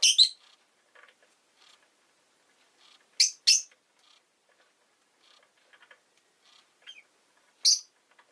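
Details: Pet rosy-faced lovebird (Agapornis roseicollis) chirping: sharp, high, buzzy chirps come singly or in quick pairs at irregular intervals, a few seconds apart, with soft faint twitters between them.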